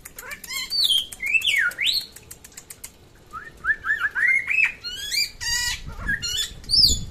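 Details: Samyong from West Nusa Tenggara: high clear whistles and a swooping down-up note, then a quick series of rising slurred whistles and some rattling chatter, with faint low noise near the end.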